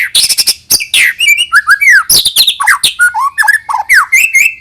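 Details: Continuous, lively White-rumped shama song, meant to stir young birds into singing. A rich, fast medley of whistles, slurs, buzzy notes and sweeps, shifting pitch constantly with barely any pause.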